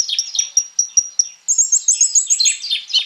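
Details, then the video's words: Sunbird called Konin, sung as a lure for other birds: a steady sequence of sharp high ticks turns into a rapid twittering trill with lower buzzy undertones. "KONIN GACOR FULL ISIAN MENTAL BAJA COCOK BUAT PANCINGAN KOLIBRI NINJA PASTI NYAUT IKUT BUKA PARUH"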